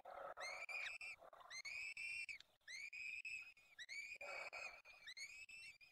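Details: Peregrine falcons calling at a nest during the fifth feeding in the Barycz Valley, Poland, on the evening of 23 April 2020, 19:28; a run of drawn, bright, slightly rising wails in quick succession, mixed with lower harsh chattering and soft ticking clicks.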